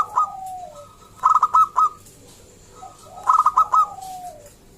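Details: Zebra dove singing, a local bird used to coax other doves into song: two phrases, each a brief note, a sliding coo, then a rapid string of four or five bright, staccato notes.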